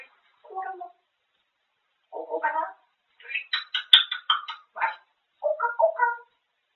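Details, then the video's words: Chatty pet grey parrot talking about food: low murmured syllables, then a fast string of sharper, higher word sounds, and a final mumbled phrase. "쉴새없이 떠드는데 다 먹는 이야기"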